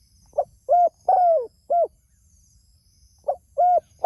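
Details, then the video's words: Spotted dove calling to others: one complete four-note phrase of soft note, coo, long descending coo and short coo, then the next phrase begins about two and a half seconds later. "Suara Burung Tekukur Gacor Memanggil Temanya"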